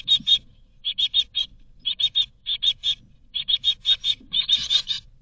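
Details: Great tit nestlings in a Berlin nest box, 2022, beg for food with high, thin chips in quick clusters of two to four, repeating over and over with brief pauses between bursts.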